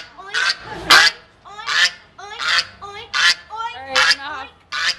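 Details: Goose showing anger toward a man, giving harsh, buzzy honks in a steady series, roughly one every half second, each a short rasping blast with strong overtones.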